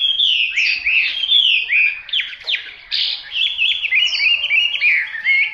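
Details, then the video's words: Hwamei singing loud, varied phrases: clear whistles, sharp downward slurs and fast repeated notes, with brief pauses between bursts and a quieter dip midway. "Họa mi tuyển chọn"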